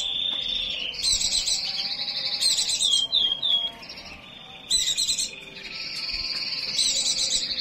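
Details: Excited, high-pitched white-eye song from a bird in breeding condition: extended buzzy trills punctuated by several sharp bursts of very high chatter and a short series of slurred descending notes.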